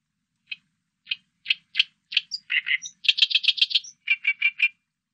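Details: Oriental reed warbler song recorded in 2020: spaced harsh grating notes speed up into a chattering run of rasping syllables mixed with a few thin squeaky whistles, in clean silence.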